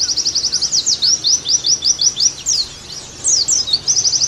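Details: Oriental white-eye in a song-tutoring session: rapid, very high chips strung into rattling trills and downward-slurred notes, pausing briefly midway before resuming with more quick trills.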